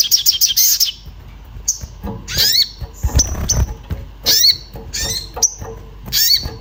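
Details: Orange-bellied flowerpecker in an agitated state, calling for a companion as a singing lure: rapid ticking bursts, then separate sharp chirps with downward-curving tails about every second, faint knocks below.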